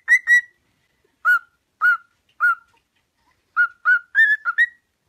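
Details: Pet cockatiel whistling a song meant for training cockatiels to sing: two quick notes, then single short falling whistles at even intervals, ending in a fast cluster of three or four notes.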